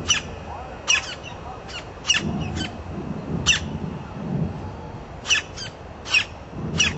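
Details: Campo flicker in a city park in Brasília, Brazil, giving short sharp squeaky calls, singly and in quick pairs, spaced about a second apart over steady low background noise.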